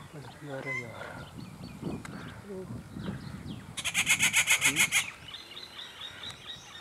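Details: Rufous treepie alongside its chick at a local breeding site; a single loud, grating rattle of quick repeated pulses lasting about a second, preceded by a man's voice and soft background chirping.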